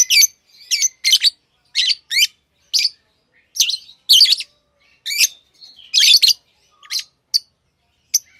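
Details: Pet lovebirds, tame birds, chirping in short harsh bursts of high, buzzy, rasping notes, each under half a second, separated by brief silences, with no other sounds.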